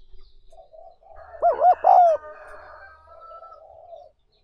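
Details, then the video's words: A spotted dove's wavering two-part coo rises out of soft, continuous background calling and low rumbling. The recording is meant for training captured wild doves as lure birds. "60 Phút Tập Chim Cu Gáy Bổi Mỗi Ngày"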